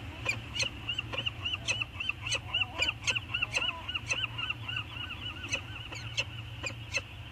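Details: Two wild peregrine falcons circling each other on Anacapa on a 2019 morning, chatting: rapid series of harsh, arched, harmonic notes, about three or four a second, over a steady hiss of background noise with sharp clicks.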